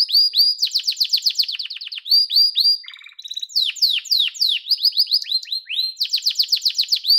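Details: Fast, loud yellow canary song of rapidly repeated high falling notes in several bursts, broken by a short softer low buzzy passage at mid-clip.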